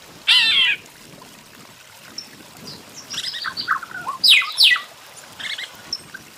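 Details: Red-billed quelea song: short harsh chattering bursts and high buzzy notes, a loud scratchy burst first, then a scattered run of squeaky chips and two sharp rasping notes near the end, over a soft watery hiss.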